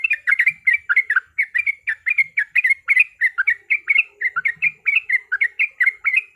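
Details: Yellow-vented bulbul fighting song used as a lure: an unbroken stream of crisp, bubbly notes, roughly two per second, repeated in lively clusters.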